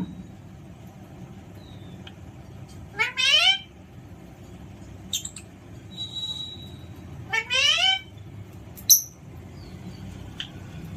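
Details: Alexandrine parakeet kept as a pet and being playful, giving two rising, nasal, meow-like calls about four seconds apart, with short squeaks and faint clicks between them in a quiet room.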